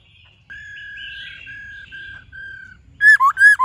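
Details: White-cheeked laughingthrush singing in the forest-voice style with many voices, played to train caged birds: a long steady whistle held for about two seconds in short breaks, then three loud, rich, warbling whistled notes.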